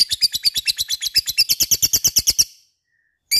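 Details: Shrill, quick-fire lovebird ngekek, a string of about twenty piercing chirps in two and a half seconds that stops dead, then a new burst begins.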